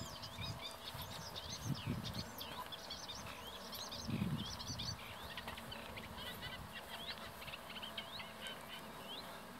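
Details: A Eurasian (common) reed warbler sits very close by in reeds along the Bijleveld drainage canal near Kockengen, Utrecht, Netherlands, giving a steady, scratchy run of repeated churring and clicking notes, with low rumbling bursts of wind or background noise.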